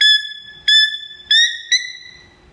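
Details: A male buff-crested bustard at Philadelphia Zoo's McNeil Avian Center, recorded 20 June 2014, gives four loud, piercing, ringing whistled notes at an uneven pace, a repeat of his territorial call.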